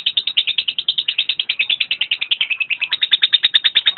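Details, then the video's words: Lovebird giving a long, unbroken chattering trill. Harsh, high notes repeat rapidly at an even pace, about three per second, with a brief flicker of a whistled note midway. "Video kicau burung Lovebird"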